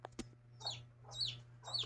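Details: Chicks with their mother hen, three short high peeps each sliding downward, spaced about half a second apart over a steady low electrical hum.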